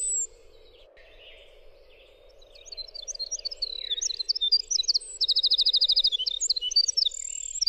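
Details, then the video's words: Winter wren singing after a quiet start: soft notes building into a long stream of high sharp chips, a loud rapid trill of even pulses, and squeaky warbled phrases. A low hum runs throughout. "suara winter wren"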